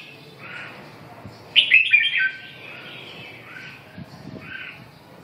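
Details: Red-whiskered bulbul giving a short, loud, bright warbled phrase of rapid slurred notes midway through, with quieter chirps before and after over a low rumbling background.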